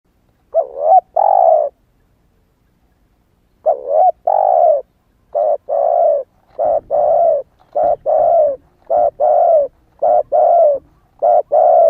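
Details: Young caged spotted dove that has newly begun calling, wild plumage not yet moulted, used to lure wild doves: low hoarse coo phrases, a short double note then a long drawn coo, repeated after an opening pause.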